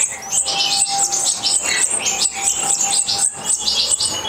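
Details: European goldfinch bred in captivity in Morocco, giving dense, continuous tinkling twitters and buzzy trills high in pitch, with a faint steady low hum running underneath.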